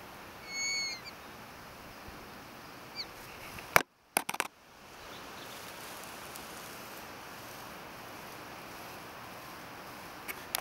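Grey-headed swamphen giving one brief, high, squealing note near the start. Afterwards come a couple of sharp knocks and a steady background hiss.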